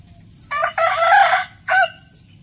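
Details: Morning rooster crow: a harsh, ringing cock-a-doodle-doo in one long drawn-out phrase, followed by a short clipped final note.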